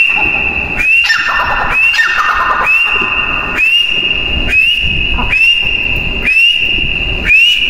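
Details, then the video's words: Grey francolin (teetar) calling: a loud whistled note that rises sharply and then holds steady, repeated roughly every second over a constant noisy background, with some harsher overlapping notes early on. "Teetar ki awaaz | teetar ki boli"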